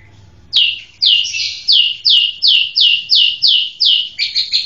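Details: White-rumped shama singing a fast series of about ten loud, high, down-slurred chirps, roughly two per second, ending in a brief rapid flurry, with a faint low hum beforehand.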